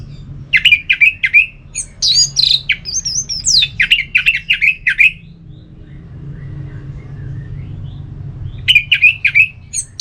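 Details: Orange-headed thrush in ngeplong song, played to excite another bird into answering: rapid runs of sharp repeated chips, varied squeaky whistles in between, a quiet pause near the end, then the chips resume.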